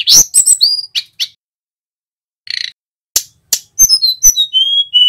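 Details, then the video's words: High-pitched song of a male mountain flowerpecker, played to coax cage birds into singing: sharp ticks and short whistles, a pause with one buzzy note, then a descending series of thin piping whistles. "Suara tledekan gunung gacor"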